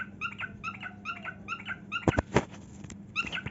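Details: Pet cockatiel singing while dancing and displaying its heart-shaped wings: short harmonic chirps repeated about three times a second, then several sharp taps and thumps before the chirping resumes.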